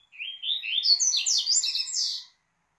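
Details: Double-collared seedeater (Sporophila caerulescens) sings a tui-tui tutor song used to teach young birds: a quick, bright two-second phrase of varied whistled and buzzy notes, rising and sweeping before stopping.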